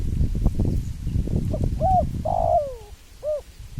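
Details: Spotted dove calling after a burst of low thumping noise: a short coo, a long descending drawn coo, then a separate closing hoot.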